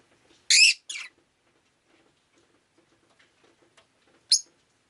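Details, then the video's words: Rosy-faced lovebird kept as a pet, recorded on a rainy day: two loud, harsh high chirps close together near the start, then a single sharp chirp about four seconds later, with faint background rustling. "Lovebird Chirping Sounds"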